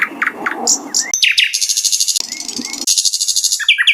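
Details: Energetic song of a wild flycatcher, locally sikatan londo: short whistled slurs and chips, then a dense buzzy trill held for about a second, repeated after a brief pause. A soft low rustling murmur sounds underneath.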